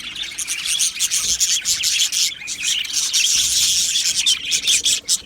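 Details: Australian budgies in an aviary colony, recorded 12 July 2025, keep up a dense, continuous, scratchy high chatter with rapid chirps that overlap throughout, briefly dipping in loudness near the start and end.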